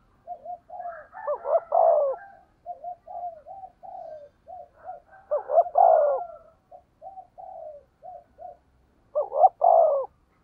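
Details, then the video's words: A 'thổ'-voiced decoy spotted dove cooing 'thúc gù' style: runs of soft short hoots each climaxing in a doubled note and loud falling coo, three phrases roughly four seconds apart. "cu gáy giọng thổ THÚC GÙ bài bản"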